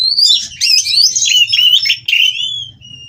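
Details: White-rumped shama in captivity singing during mating to rouse rivals; a continuous stream of high warbling whistles and slurs ending on a single sustained whistle, faint low hum behind.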